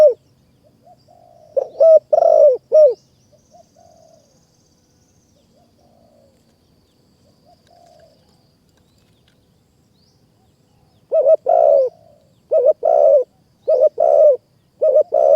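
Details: Spotted doves in Kanchanaburi's mountain forest during Thai decoy trapping: a burst of mellow coos, then a long near-silent pause with faint, distant cooing, before loud, evenly spaced coo phrases resume.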